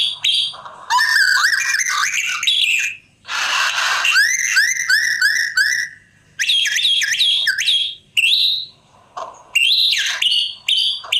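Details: White-rumped shama singing a varied run of loud, clear whistles: looping rising and falling slurred notes, a harsh noisy burst in the middle, then quick rising phrases separated by short pauses.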